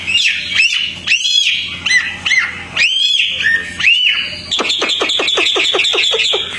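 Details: Hwamei, tame and singing outdoors: rich arched whistles and slurred phrases with brief pauses, then a rapid rattling series of about a dozen downward-sweeping notes.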